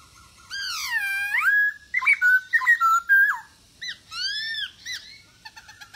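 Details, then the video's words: Masked laughingthrush singing vigorously to coax other birds to answer: a long loud descending whistle, a string of wavering whistled notes, two bold curved calls, then quiet clicking. "POKSAY HONGKONG Anda Malas Bunyi,Pancing Dengan POKSAY HONGKONG Gacor ini 75% Pasti Nyaut"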